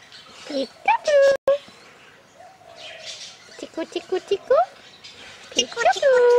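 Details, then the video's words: Male Red-sided Eclectus parrot, about four years old, talks in short, speech-like phrases with rising and falling whistled tones while a person close by repeats words like "tickle". "Eclectus Parrot Talking"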